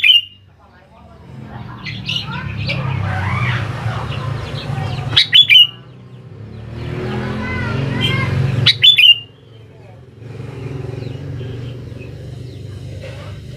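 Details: Sooty-headed bulbul song used as a lure to make young birds respond: loud bright chattering phrases about every four seconds, separated by busy twittering and a low rumbling background.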